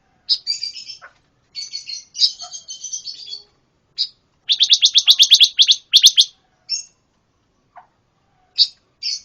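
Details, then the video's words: Pancawarna bird in constant, noisy song used to train other birds: scratchy high chatter in short bursts, then a fast, evenly spaced trill of sharp chips, ending with scattered single chirps. "Masteran burung pancawarna// gacor super brisik"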